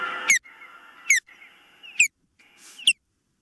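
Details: Nest-camera recording of an osprey at the nest, 19 April 2024, near 21:13; four shrill, steeply falling whistled notes, roughly one every second, over a soft mechanical hum and a brief burst of hiss.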